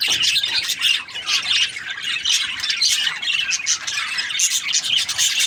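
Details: A group of budgies squawking and chirping continuously, the harsh high calls coming in quick pulsing bursts with a brief dip in loudness near the first second.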